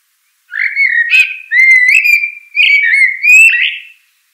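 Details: Common blackbird song: a continuous run of four mellow, fluting whistled phrases over about three and a half seconds, some rising, some wavering, with faint higher twittering notes on top.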